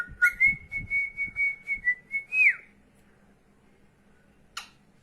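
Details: Pet female cockatiel indoors, a bird that follows her owner all around the house: one long, clear, steady whistle held for about two seconds, ending in a quick upward flick, with soft knocking thumps beneath and a short click afterward.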